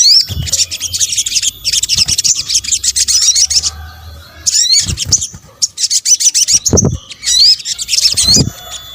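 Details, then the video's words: High, thin sunbird chatter from an Indonesian sogok ontong luring combination: long runs of fast twittering, two short breaks, then clear rising slurred whistles near the end. "kombinasi suara sogok ontong"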